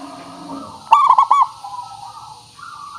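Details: Zebra dove song played as a lure to prompt an answer: one loud burst of rapid, rolling coos between soft, drawn-out cooing notes.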